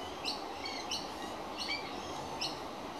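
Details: Hungry baby magpie calling out to let everyone know, recorded 13 October 2015: short bright repeated calls with harmonics, roughly every half second to second, over a steady background hiss.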